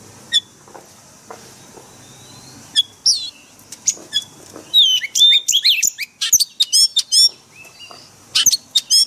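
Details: Oriental magpie-robin in forest-voice song, meant for daily training of caged birds. Sparse thin whistles open the recording, then build into a long, fast stream of varied high whistled and chattering notes, with more sharp notes at the end.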